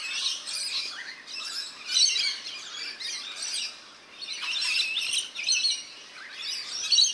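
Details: Bathing rainbow lorikeets in a backyard birdbath, New South Wales, Australia; grouped bursts of harsh, high screeching chatter separated by short quieter gaps.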